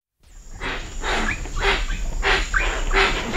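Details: Hoatzin calling at medium-close range at Cocha Cashu, Manu: hoarse, breathy bursts repeated about every half second, with wingbeats and a steady high cicada whine and other birds farther off.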